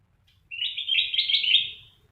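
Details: Sooty-headed bulbul singing: one bright, warbling phrase of about a second and a half, slightly rising then steady, with a faint low rumble underneath.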